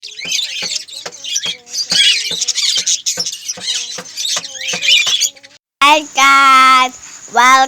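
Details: A pet budgerigar bathing gives high, scratchy chirps over a steady patter of splashing water, then a person speaks.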